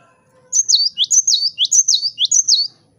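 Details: Cinereous tit (gelatik batu) in full vigorous song, used as a lure to provoke rival birds: five quick two-note phrases, a high whistle dropping to a lower note, repeated rapidly over two seconds against a quiet background.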